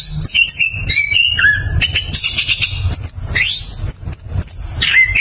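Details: Orange-headed thrush pouring out varied whistled song in the continuous 'ngeroll' style: short descending notes at first, then a strong upward-sweeping whistle and long high tones, with muffled low thumps underneath.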